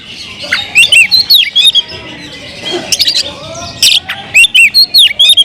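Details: Caged Oriental magpie-robin (kacer) singing: loud whistled phrases with rising and falling slurred notes and sharp chips, given in bursts with a short quieter gap midway.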